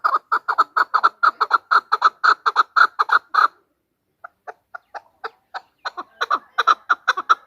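A female chukar gives rapid, harsh chuck notes, about five a second, pauses briefly, then builds back into a fast clucking series.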